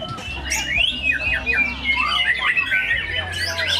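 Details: White-rumped shama (murai batu) performing at a bird-singing competition, pouring out a rapid, varied run of rich whistles, slurs and sharp chips, with other birds and a low crowd murmur behind.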